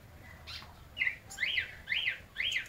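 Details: White-necked thrush song at midday, a run of three or four similar arched whistled notes given in quick succession, clear over low background noise.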